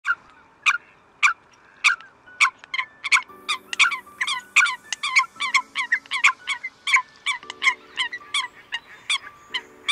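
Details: Eurasian coot calling the flock: sharp, clipped calls repeated in quick bursts, roughly two to three per second, each with a bright, harsh ring. Steady low droning tones sound underneath from about three seconds onward.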